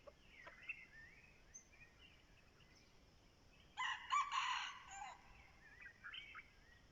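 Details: Decoy red junglefowl heard crowing at moderate distance, one harsh buzzy crow lasting about a second midway, amid hiss and scattered whistled bird calls before and after.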